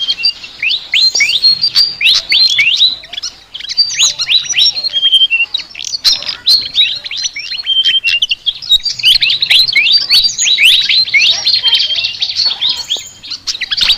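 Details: Flycatcher chattering song: a dense, continuous stream of sharp, high chirps and quick downward-slurred notes, delivered rapidly and unevenly with brief pauses.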